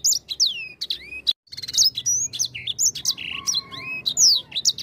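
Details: Grey singing finch in lure song, mixing bright descending slurs and sharp chips with a short buzzy note and a faint lower drawn whistle after a brief silent gap.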